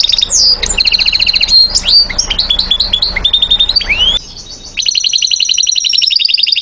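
A goldfinch sings a fast, tinkling jumble of twitters, buzzy slurred notes and high trills. After a brief pause it gives a long, rapid rattling trill.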